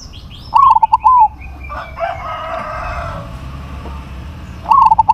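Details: Zebra dove, a crossbred perkutut with a big voice, giving loud stuttering coos: a burst of clipped notes, then a drawn-out coo, the phrase returning at the end over a low background hum.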